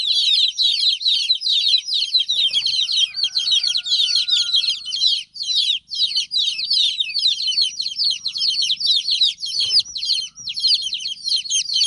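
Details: Hen's chicks peeping while their mother is absent, many voices packed into a steady stream of sharp, high, falling cheeps; a brief faint tone and a low soft hum sit beneath the chorus.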